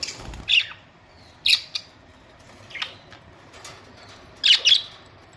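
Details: Pet budgerigars at home, recorded May 24, 2023; a series of short, harsh, scratchy squawks and chirps spaced about a second apart, ending in a quick double call, with small clicks between them.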